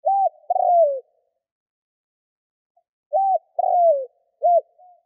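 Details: Spotted dove used as a lure for wild doves, cooing in phrases: a two-note coo, about two seconds of silence, then a full three-note phrase ending in a short arched note.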